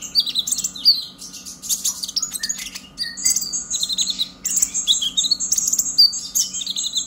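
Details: Purple-throated sunbird singing an energetic, chattering song used to stimulate other birds: rapid high thin twitters and sharp chips, dense and continuous, with brief lower whistled notes; a faint steady hum underneath.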